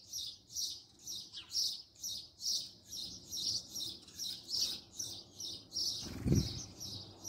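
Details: Close-range house sparrow calling in a fast, even run of bright chirps, about two per second, with a short low knock near the end.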